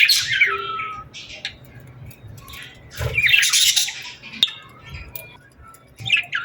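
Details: At sunset in summer, birds give an opening chirp sliding into a falling whistle, then quieter scattered notes, a loud buzzy squawking burst midway, and a final twisting chirp.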